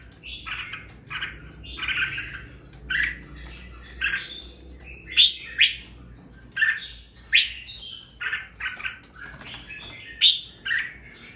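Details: Red-whiskered bulbul in captivity after two weeks of raising, starting to sing with spirit; a lively chatter of many quick slurred chirps and whistles in clustered bursts across the whole stretch.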